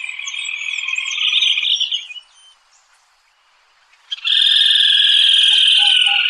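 Rusty-flanked Crake giving two loud, rapid, high trills that slide slightly downward, separated by a two-second pause; faint higher chirps sound early on.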